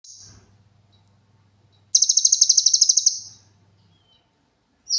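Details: Cililin song used as tutor material for training cage birds: a clear, very high, rapid trill of about a dozen evenly spaced sharp notes lasting just over a second, following faint low hum and near-silence.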